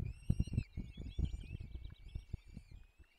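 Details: Nestling peregrine falcons begging while fed at a forest nest, Barycz Valley, 17 April 2024: a dense chorus of thin, wavering, whiny calls runs continuously beneath loud, irregular low thumps and scuffling from the feeding.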